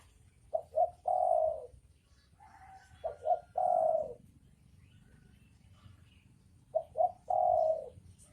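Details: Spotted dove pair, male and female, repeating a soft three-part coo, two brief notes and a drawn-out final note, three phrases with short pauses.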